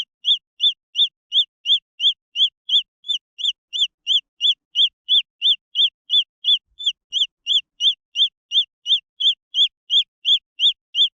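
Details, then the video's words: Long, steady series of shrill, high-pitched peeps from green junglefowl chicks, close to three per second, each note brief with a slight up-and-down inflection, quiet surroundings. "The Sound of jungle fowl chicks"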